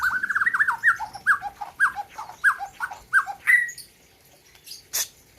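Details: Gayo-bred white-rumped shama from Aceh singing at a 2021 bird competition: a quick series of about ten clear, looping downslurred whistles, ending in a higher note, then near quiet.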